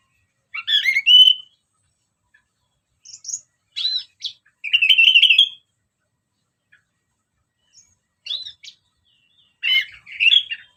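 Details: Orange-headed thrush (anis merah) singing as a lure: loud whistled phrases, including a short warbling trill, broken by quiet gaps and followed by sporadic chirps and a final twittering phrase.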